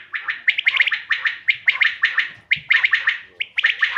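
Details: Quail call (bater) for hunting use: quick, overlapping three-note bursts, bright and liquid, tumbling one after another almost without a break over four seconds.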